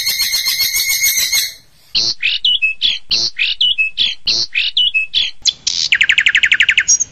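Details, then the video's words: Long-tailed shrike song used as a training recording: a harsh, raspy chatter, then quick varied whistled and scratchy notes about twice a second, ending in a fast high rattling trill. "Masteran Cendet Tembakan Unik"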